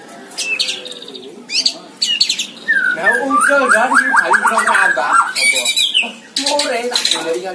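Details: Caged white-rumped shama singing gacor from a hanging cage: bursts of high, sharp chattering notes around a long, dense, loud jumble of rapid warbled whistles with buzzy undertones.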